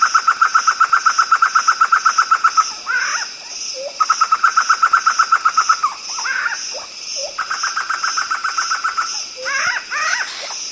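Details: Black-throated laughingthrush (poksay hitam) singing: long rapid trains of even, clipped notes at about four per second, broken by brief slurred whistled phrases, over a constant high-pitched hiss.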